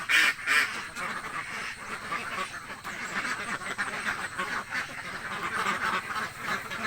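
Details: Hungry village ducks quacking loudly, a flock of laying ducks calling together in rapid, irregular nasal quacks, about three per second, over a steady murmur of the crowd.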